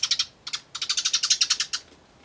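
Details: Eurasian tree sparrows eating at a bird table, 24 May 2013: quick 'tyutyutyu' chatter, a short triple burst, a pause, then a fast run of about a dozen bright chirps.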